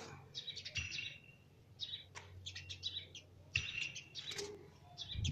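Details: Baby sparrow chirping: bright, high twittering notes in short clustered bursts, with brief pauses between groups, over a faint low hum.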